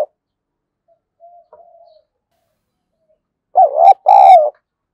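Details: Spotted dove fighting-provocation call for exciting decoy birds: faint soft murmurs at first, then one loud two-part coo, a quavering note followed by a sustained rolling one.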